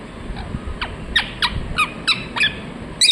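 A rose-ringed parakeet gives about eight sharp, shrill, downward-slurred chirps, roughly three per second, over a low background rumble.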